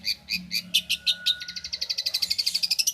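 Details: Champion long-tailed shrike from Banyuwangi, recorded as a tutor song for training other shrikes: a string of harsh buzzy notes about four per second, then a quickening rising trill of rapid clipped notes.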